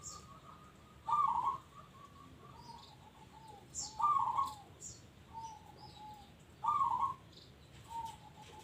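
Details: Local zebra dove singing actively: three vibrating coo bursts roughly every three seconds, each trailed by softer, lower, drawn-out notes, with scattered faint high chirps of other birds in the background.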